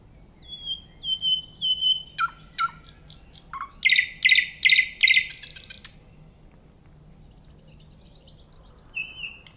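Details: Singing nightingale: three thin, drawn-out high whistles, then falling slurred notes and a loud burst of rapidly repeated rich notes, ending with scattered soft high notes.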